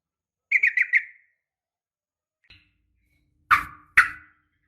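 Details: Female sooty-headed bulbul calling a male: one quick four-note bubbly phrase, then silence broken by a faint click and two sharp knocking thumps.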